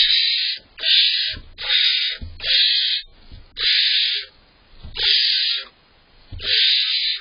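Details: Barn owl owlets competing for prey brought by their father in July, the younger one fighting for its share; harsh rasping hissed screeches repeated about every second, with soft thumps and scuffling between them.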